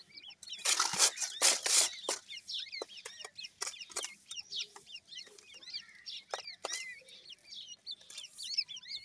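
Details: Several grey francolin chicks giving rapid high peeps, roughly three per second in a loose, uneven rhythm. Bright arched notes overlap throughout, and broad rustling or scratching bursts come near the start.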